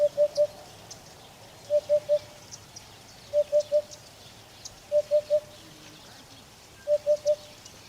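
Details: A Eurasian hoopoe (Upupa epops) gives soft, low, hollow 'oop-oop-oop' triplets, each set about every one and a half seconds, over faint high ticking in the background.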